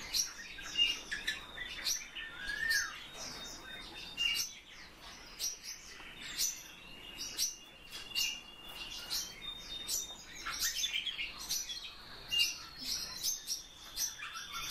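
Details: Eurasian bullfinches kept in captivity give short, clear, steady whistled notes every second or two, set among busy high twittering chirps, soft clicks and fluttering sounds of other birds nearby.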